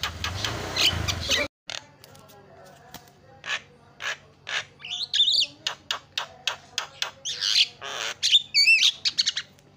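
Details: Starling song used as a lure to get silent, reluctant starlings singing and chattering: after a muffled noisy opening, sharp chips and clicks start up, mixed with high whistled, warbling phrases that grow busier toward the end.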